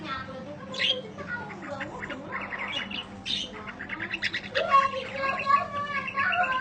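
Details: Long budgerigar chatter recorded as tutoring audio for birds: a rapid jumble of scratchy squawks, clicks and short whistled phrases that grows denser and louder toward the end, over a low constant hum.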